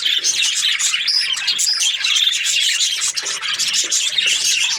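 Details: Budgies warbling together in a constant, loud stream of bright chirps, twitters and raspy notes that overlap without pause.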